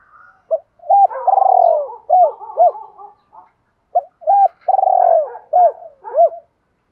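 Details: Decoy-training coo of a spotted dove: twice a short hoot, a long pulsing descending coo and paired clipped coos, with a soft trailing note between the phrases.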